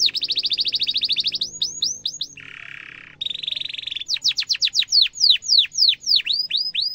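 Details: Canary song used as a lure to teach young canaries to sing: rapid trilled rolls, a buzzy low block, then a series of loud descending whistled notes repeated about three per second.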